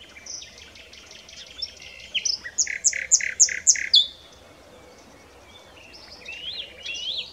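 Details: Common nightingale (Luscinia megarhynchos) song: soft twittering that builds into five loud, evenly spaced repeated notes, then a pause and quieter warbled phrases.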